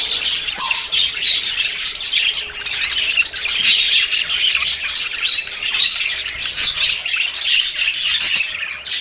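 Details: Budgerigars courting before breeding, many voices mixing in a steady, high warbling chatter broken by harsh squawks and brief sharp tweets.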